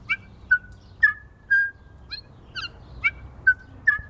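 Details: In early-spring snow, feeding New Zealand bellbirds repeat a clear mid-pitched whistled note roughly twice a second, each often paired with a higher short chirp, forming a bell-like, fairly steady series.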